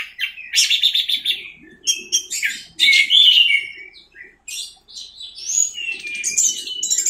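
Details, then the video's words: Anis merah, the orange-headed thrush, singing in 'teler' style for masteran training audio: bursts of rich, warbled high phrases and bright whistled slurs, with brief pauses between strophes and a faint low murmur beneath. "MASTERAN ANIS MERAH TELER"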